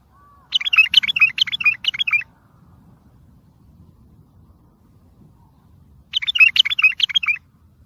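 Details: Bulbul singing the tayyariyat sihan style, meant for training and motivating young birds; two fast rippling phrases of bubbly warbled notes, each nearly two seconds, separated by about four seconds of quiet hum.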